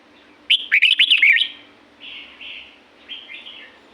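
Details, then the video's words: Red-whiskered bulbul singing in natural La-U forest, Thailand: a bright rush of rapid rising and falling whistles for one second, then quieter answering slurred phrases. "เสียงนกกรงหัวจุก จากป่าละอูแท้ๆ เสียงดี เสียงเพราะ จากธรรมชาติ"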